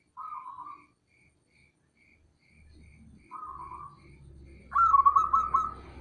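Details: Male local zebra dove calling, a rival-provoking call: two short husky bursts of rapid trilled notes, then a louder, longer trilled phrase near the end, over faint low rumbling background noise.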